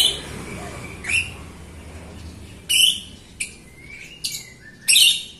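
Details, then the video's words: A Jalak Rio myna sings to prompt other Rio birds: a few loud, separate squeaky whistles and harsh chips with pauses, including a drawn-out falling whistle, over a faint low rumble. "JALAK RIO GACOR untuk pancingan RIO RIO BAHAN OMBYOKAN & MALAS BUNYI"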